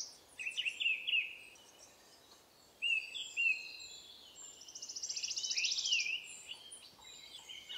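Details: Blue-black grassquit (Volatinia jacarina) by a roadside near Ollantaytambo, Peru, at 3000 m altitude in March 2023, gives thin, high chirps and short squeaky phrases, then a fast buzzy trill for about a second; other small birds twitter faintly.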